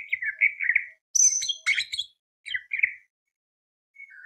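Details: Greater green leafbird in lively song, played to stir other birds: warbled whistles, a burst of high harsh chattering notes, more short warbles, then a faint thin whistle after a pause.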